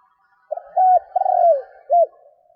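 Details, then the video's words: Caged decoy spotted dove cooing to lure wild doves: one deep phrase of a short note, a level hooted note, a longer falling coo and a clipped final note, with a faint higher hum behind. "Tiếng cu gáy mồi thúc gù kích bổi"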